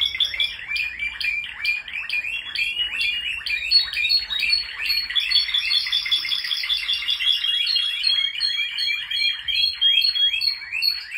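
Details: Male Spanish Timbrado canaries in full song: unbroken chains of fast repeated chirping notes forming rolling trills, shifting in tone midway, with voices overlapping throughout.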